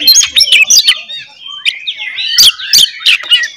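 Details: Oriental magpie-robin in full 'ngeplong' fighting song, played to provoke other magpie-robins into an emotional response: a varied stream of clear whistles, slurred rising and falling phrases and sharp chirps, with a few loud clicks.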